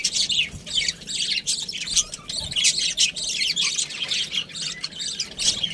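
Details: Pet budgie chirping indoors: a dense, continuous stream of high, scratchy chirps and warbled twitters with no real pauses.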